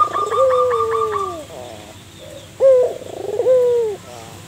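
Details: Local zebra dove singing vigorously as a lure bird, giving soft, rolling cooing notes, a drawn-out falling coo followed by shorter trilled coos with brief pauses between phrases.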